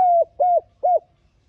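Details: Lure call of a spotted dove for drawing in wild doves: three low, slightly falling coos in a row, the first longest, spaced about a third of a second apart.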